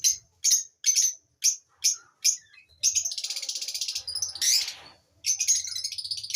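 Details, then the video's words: Lovebirds give a run of about six sharp, shrill chirps, roughly two a second, then break into dense, buzzy, high-pitched chatter; Lovebird. "Amazing Birds chirping sound"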